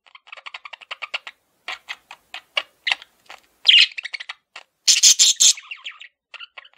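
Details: Male pet budgerigar chirping: a rapid series of short, clicky chirps and chatter that builds into louder, harsh squawky bursts around the middle before trailing off into softer twitters.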